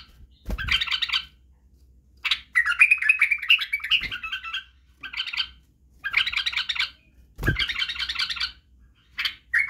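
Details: Training song of a Badrawi, or white-eared, bulbul for young birds learning song, barwaz and wing-clicking. Several bursts of rapid chattering warbles are separated by pauses. Sharp low clicks or thumps occur between phrases.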